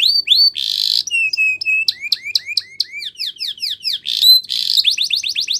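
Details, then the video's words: Training song from a canary, rapidly changing phrases: rising slurred whistles, harsh buzzy bursts and a run of even whistled notes. Quick trills of downswept notes and a final fast rolling trill follow. "It's Impossible If Your Canary Doesn't Ring!!"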